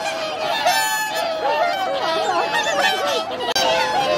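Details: Swans at Lake Hyoko, a Ramsar wetland in Niigata, Japan, on 8 January 2022. Sustained honking chorus, with quick, looping lower calls weaving through it. A brief dropout occurs near the end.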